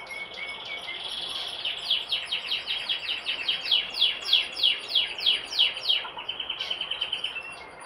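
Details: Brambling giving a run of quick, sharp, descending high chirps, about three a second, rising in loudness toward the middle and fading at the end.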